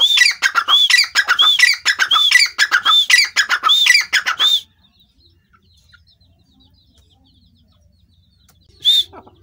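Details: Grey francolin, locally called dakhni or gora teetar: a loud run of harsh, ringing calls, each with an arched high note, repeated rapidly for about four and a half seconds, then silence before one last note.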